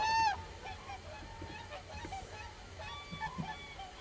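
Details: Common crane call: one loud, harmonic-rich trumpeting note opens the recording, then fainter, more distant crane calls follow against a steady low background rumble.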